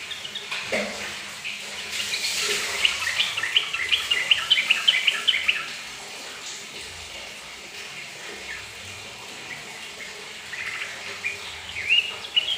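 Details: Yellow-vented bulbul singing in response to running bathroom tap water, Thursday 11 June 2020: bubbly, rapid chirping phrases of liquid notes, loudest in the first half, then softer scattered notes over a steady hiss of flowing water.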